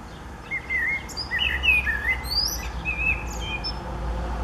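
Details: Common blackbird singing on 29 April 2019: a varied stream of fluty whistles mixed with high twittering notes, over a steady low rumble in the background.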